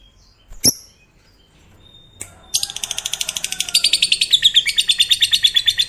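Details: A fighter-type lovebird gives its long ngekek, a trill said to set other lovebirds singing: one sharp chirp, then a very rapid, high, buzzy run of pulses rolling on for over three seconds, steady and unbroken.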